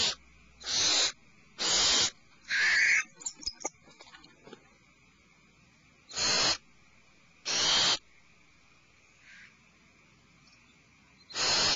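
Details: Alarmed owlets in a nest cavity give a quick cluster of three rasping screeches with brief clicks and twitters, a long pause, then more spaced screeches.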